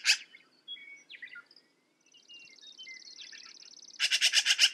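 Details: Black-billed magpie giving a short harsh burst, then after a gap a rattling chatter of about seven rasping notes at the end; thin whistles and a long buzzy trill from other birds fill the middle.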